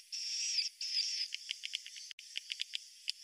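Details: Swiftlet roosting call opening with two sustained high buzzy trills, then a string of separate sharp chips spaced irregularly.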